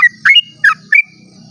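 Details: A sooty-headed bulbul sings its dawn 'ropel' song, used to spur other bulbuls into singing; four quick, loud, slurred whistled notes, a little rising, over a soft low hum.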